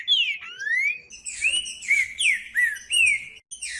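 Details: Green-winged saltator singing to warm up other saltators: loud, continuous whistled phrases, an opening falling slur then a long rising one, followed by a steady string of short arched whistles repeated about every half second, with a faint constant high tone behind.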